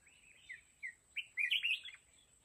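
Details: Trap decoy red-whiskered bulbul, luring wild mountain birds: a soft opening note, two brief whistles, then a loud, rich warbled phrase that sweeps up and down before fading.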